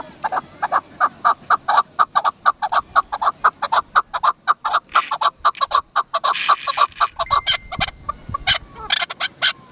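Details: Rapid run of sharp chak notes from a Chukar partridge (dasi chakor), roughly two per second, quickening and crowding together toward the end.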